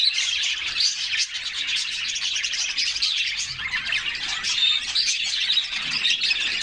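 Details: Canaries in a refreshing summer bath, a group singing: continuous high, rapid chirps and trills layered over one another, with brief clear whistled notes near the end.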